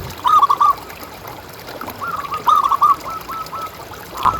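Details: Zebra dove of local stock, a lure recording meant to set other doves calling: two short bursts of quick, bubbling coo notes, the second longer and ending on a held coo, over faint background hiss.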